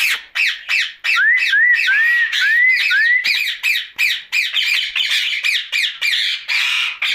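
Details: Captive rose-ringed parakeet calling at night, a few clear upward-sweeping whistles mixed into a rapid, uneven run of harsh screeches, nearly three per second.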